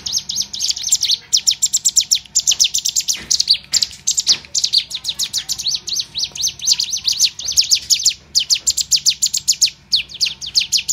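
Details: Sunda warbler learning to fight (combat-song training) sings a fast, unbroken run of high, thin chirps and trills, several notes a second, with brief pauses; nothing else is heard.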